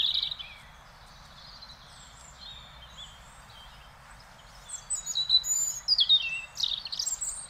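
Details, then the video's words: Robin song recorded in the Netherlands: one short high whistle at the start, a long quiet gap, then a rapid, varied phrase of thin, sliding, very high notes and trills over faint background hiss. "One Hour Relaxing Birdsong: European Robin"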